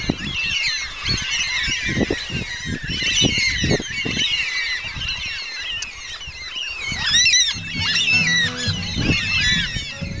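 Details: Cockatoos in a flock beside a trail 8 to 15 km from Yanchep, crowded rasping screeches overlapping throughout, low footstep thuds in the first half, and music fading in over the last few seconds.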